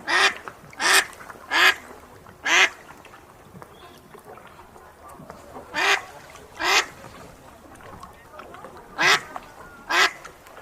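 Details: Ducks quacking in a series of loud, harsh, nasal calls, mostly single quacks with some closely spaced pairs, separated by short quiet gaps over a low background hiss.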